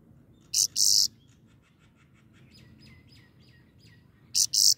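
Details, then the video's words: Grey-crowned goldfinch song: paired harsh buzzy high notes at the start and end, with soft twittering in the quiet stretch between. "The singing goldfinch is the best"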